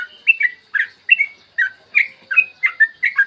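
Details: Morning song of a yellow-vented bulbul, used as a lure to set other bulbuls singing: lively rapid series of about ten bubbly, slurred whistled notes, each rising then falling, in quick uneven rhythm, with a quiet background.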